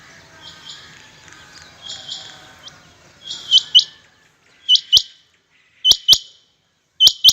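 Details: Rain quails in competition call with sharp, high paired notes. Overlapping softer pairs come first over faint background noise, then louder, clearer doubles repeat roughly every second, with a few clicks.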